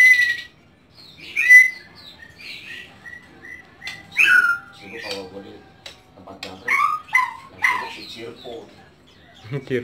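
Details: Home-kept white-rumped shama giving a varied run of whistles: long level notes, rising slurs and quick paired phrases, with a few clicking, chattering bits in a quiet room.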